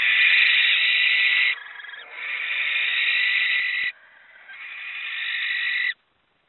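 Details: Barn owl, a grown female shunned from her parents' nest after stealing a chick, attacked by her mother while attempting to return; mother then guards the chicks. Three long, harsh, hissing screeches, each one to two seconds, separated by brief quieter pauses.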